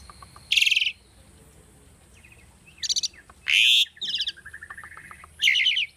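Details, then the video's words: Caged tame Asian starling singing for training: loud harsh buzzy bursts alternate with squeaky rising whistles and quick clicking rattles, with quieter ticking in the gaps. "asian starling singing video - starling bird training song"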